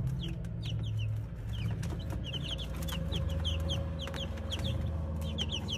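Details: A stream of high, piercing peeps from Brahma chicks, closely spaced and almost continuous for six seconds, backed by a low humming drone.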